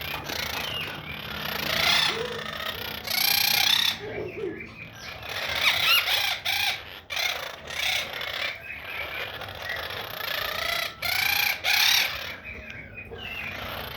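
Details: Pet quaker parrot (monk parakeet) chattering in bursts of harsh, rasping, harmonic calls with short pauses between, some notes rising and falling, with background hum.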